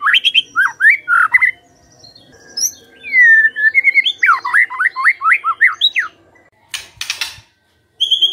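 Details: White-rumped shama singing as a lure to trigger other shamas: rapid rising whistles, a pause, a long descending whistle, then a quick string of looping slurred notes, with a short burst of noise near the end.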